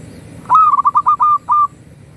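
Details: Local zebra dove from Indonesia giving its master song to stimulate other doves: about six quick, pure, even-pitched coos in succession, the last one longer, loud and clean over low background rumble.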